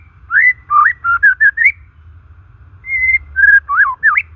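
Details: Natural song of a white-rumped shama for coaxing non-singing, stressed birds: a quick run of rich warbled whistles, a brief pause, then a long level whistle followed by looping, dipping phrases.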